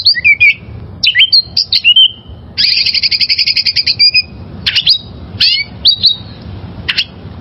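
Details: Wild oriental magpie-robin singing: sharp whistled notes and slurred downward sweeps, then a fast rattling trill of repeated high notes, followed by separate bright chips and short whistles. Quiet low background hum.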